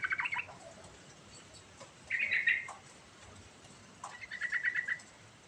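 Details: Lure song of a sooty-headed bulbul meant to coax a quiet bird into singing. Three short bursts of chattering, warbled notes arrive about two seconds apart, separated by quiet gaps.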